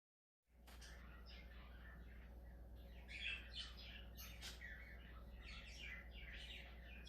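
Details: Budgerigar chattering: a continuous jumble of scratchy, warbling notes and short squawks over a steady low hum.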